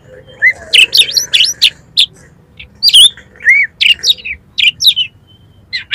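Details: Oriental magpie-robin in full competition-style song, played to provoke birds entered in contests: a varied stream of rich whistles, upslurred and downslurred notes and sharp chips in quick succession, with brief gaps between phrases.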